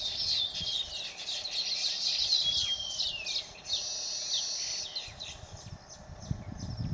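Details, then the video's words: Baya weaver song from Phaltan, Satara, Maharashtra, India: rapid sizzling chatter gives way to a clear downward-sliding whistle, then a flat buzzy wheeze lasting about a second, followed by scattered chirps and low rustling. "Baya Weaver"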